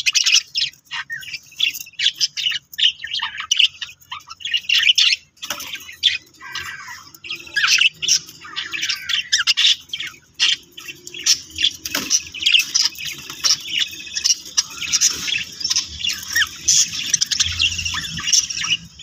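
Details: A budgerigar mother feeds her chick, which gives rapid, raspy begging squeaks with chattering chirps throughout.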